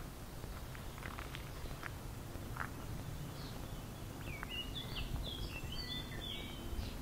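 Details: A single bird in a long singing session at Zmajčkova pot near Slovenske Konjice, Slovenia, giving a cluster of varied whistled, chirping notes in the second half, with soft clicks earlier and constant low background rumble.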